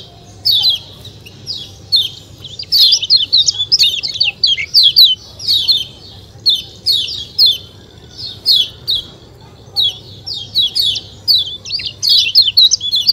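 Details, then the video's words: Yellow white-eye (kecial kuning), "ciak ciak" style, natural sound: a long series of bright, high, falling chirps in quick groups separated by short pauses, with a faint low hum behind. "ciak ciak jos kecial kuning suara alam"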